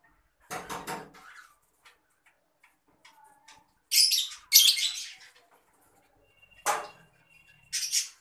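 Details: Adult green Fischer's lovebird giving harsh, shrill screeching bursts in separate bouts: one near the start, a loud close pair in the middle, then two more toward the end. Quiet pauses separate them.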